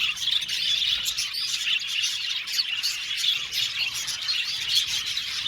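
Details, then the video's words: A budgerigar flock's lively chatter: constant overlapping high chirps and short whistled phrases, fairly even in loudness throughout. "Beautiful budgies chirping sound"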